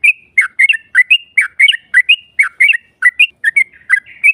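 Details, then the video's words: Yellow-vented bulbul song used to bait a rival into answering: lively, slurred two-part chirps in quick, slightly uneven succession. "Pancingan trucuk NARUNG NEMBAK Ropel panjang BUAT Mancing EMOSI LAWAN PASTI nyaut Ngropel Seketika"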